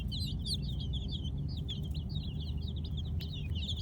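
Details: Night-time chirping of Kolor baby chicks, quick bright peeps tumbling over one another in a busy flock chatter, with a heavy low hum underneath.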